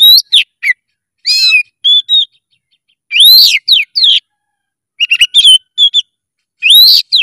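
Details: Vigorous oriental magpie-robin song full of emotion, with bright upward-sweeping whistles, buzzy chattered notes and quick paired chirps given in irregular bursts separated by brief silences.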